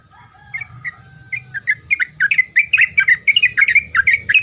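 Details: Sooty-headed bulbul in lively song meant to make other bulbuls answer: short bubbly chirped phrases around a mid-high pitch, building into a fast repeated run of notes, with a steady faint hum underneath.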